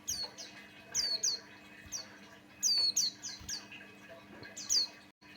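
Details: Buxtoni white-eye song used as a lure to make other white-eyes sing: high, thin, down-slurred whistled chirps in short bursts, some doubled, spaced irregularly, over a faint steady low hum.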